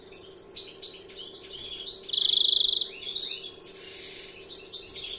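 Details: Twittering phrases from a young 'novel' European greenfinch, 'larguero' type, broken by a single loud, rapidly pulsed buzzing trill lasting under a second, then more busy chirps.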